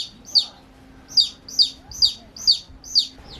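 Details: Baby chicks at play produce loud, piercing peeps that slide downward, about five spaced calls over a few seconds against a low steady hum.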